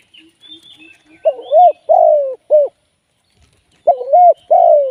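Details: Decoy spotted dove calling for live trapping. Faint chirps from small birds at the start, then two strong cooing phrases, each a short note, a long downward coo and a brief tail note.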